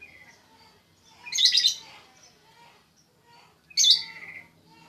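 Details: Sooty-headed bulbul, known locally as trucuk, producing two scratchy, buzzy call bursts roughly two and a half seconds apart against a quiet background.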